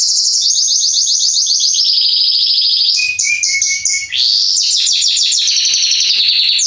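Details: Loud, sustained song of a male Belgian canary, Salsa line, meant to warm up canaries: rapid rolling trills, a low whistled passage near the middle, then more quick repeated notes.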